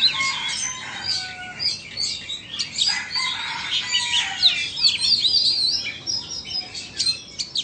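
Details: Oriental magpie-robins from Vietnam and Indonesia dueling in song: continuous overlapping whistles, quick rising and falling slurs and buzzy chatter, a dense and varied stream with no real silence.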